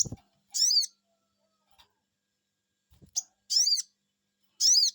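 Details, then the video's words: Sogon bird answering a lure with three strident high chevron calls spread over five seconds, separated by short sharp ticks and low thuds. "Cuiit cuiit,,pancingan burung sogon bikin resfon,,,langsung nyaut"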